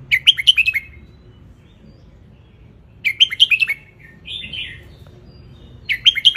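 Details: Ratchaburi wild red-whiskered bulbul in Thailand, sunning, tutoring young birds: a lively phrase of about six quick warbled notes repeated roughly every three seconds, with a softer slurred note between.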